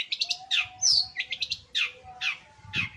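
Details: Long-tailed shrike in full voice, said to sing day and night; rapid harsh buzzy notes, a clear descending whistle, then several rasping downward-slurred calls spaced about half a second apart over a low steady hum.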